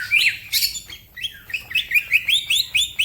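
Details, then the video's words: Green leafbird singing vigorously as a tutor bird: quick series of short upslurred whistled notes repeated about twice a second, bright and clear, with a few sharp chirps at the start. "The green cucak bird makes noise, other birds also become gacor"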